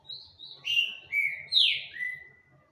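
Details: Green-winged saltator, singing at length: a brief phrase of clear whistled notes that slur downward, starting thin and high, then fuller and louder, ending in a long falling whistle.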